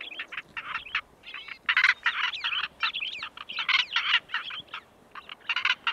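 A male Northern Black Korhaan gives loud, harsh, rasping croaks in rapid bursts, two or three to a second, with short pauses between bouts.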